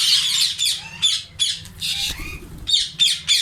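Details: A captive Indian ringneck (rose-ringed parakeet, Psittacula krameri) colony in summer: several birds give harsh, shrill screeching squawks at once in quick overlapping bursts.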